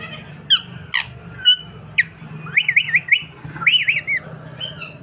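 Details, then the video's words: Pet parrot indoors in a small room giving a series of loud, harmonic squawks and quick wavering chirps, some rising then warbling up and down, spaced irregularly about a second apart, over a low background hum. "Chirping birds"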